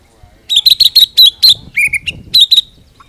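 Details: White-rumped shama with full repertoire, recorded as training master for other birds: a fast series of sharp high chips followed by lower whistled notes and more chips, loud and clear against a quiet background.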